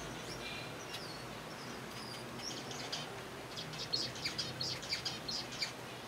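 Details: Caged zebra finch colony feeding on softfood: scattered soft chirps early, then a dense run of loud nasal beeps repeated about every half second in the latter half, low hum behind.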